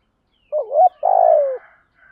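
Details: A decoy spotted dove calls the flock in the morning with one phrase: a wavering, rising two-part coo followed by a long, buzzy coo that slides downward.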